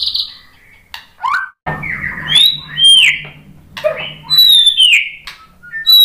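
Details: White-rumped shama song intended to spur other shamas to sing: thin high whistles and slurred downward notes over a low background hum, with scattered short chips.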